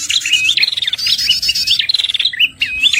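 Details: Red-headed prinia lure call used for trapping birds: bright, high chirped phrases rise and fall sharply, broken by fast buzzy trills, repeated without pause over a faint low hum.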